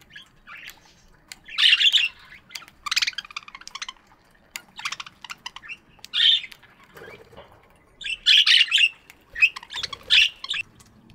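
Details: Chirping budgerigars in an aviary at morning, giving bursts of rapid, scratchy, warbling chatter and squawks, loud and almost continuous, with brief pauses between clusters.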